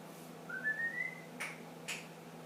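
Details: Ten-month-old pet ring-necked parakeet whistling indoors: a single soft, steadily rising whistle followed by two brief clicks.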